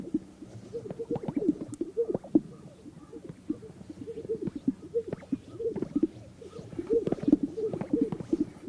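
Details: Greater sage-grouse at a remote historical lek in a vast sagebrush expanse in North Park, Colorado, in the morning, performing mating rituals: many birds overlapping with low hollow popping gulps and brief whistles, dense and continuous, plus sharp swishing bursts.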